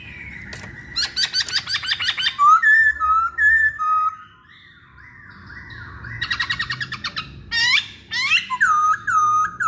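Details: Lure song of a masked laughingthrush: rapid rattling chirp series, then sliding whistles stepping up and down, a quiet gap with soft wavering notes, followed by another fast rattle and loud looping whistled phrases, faint background hum.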